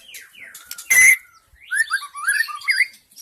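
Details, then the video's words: Lure song of a forest white-rumped shama for attracting wild shamas: a few falling whistles, a harsh burst, then a quick sequence of warbled, slurred whistled notes. "SUARA PIKAT MURAI BATU ASLI HUTAN 100% MEMIKAT MURAI BATU"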